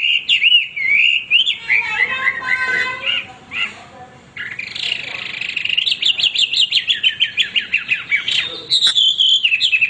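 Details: Male hwamei, a caged songbird, singing nonstop: loud varied whistled phrases sliding between high and lower notes, then rapid repeated slurred notes about twice a second toward the end.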